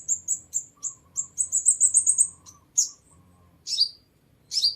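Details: Sunbird singing on a bird-luring recording: a quick series of very high, thin tseep notes that speed into a twittering run, followed by a few isolated sharp downslurred chips after pauses; background clean.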